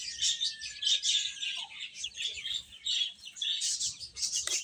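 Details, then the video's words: Baby hens eating amid a continuous wash of piercing overlapping chirps, a faint level whistle early on, and a sharp click at the end. "Beautiful Chicks Chirping Sounds | Baby Hen Eating"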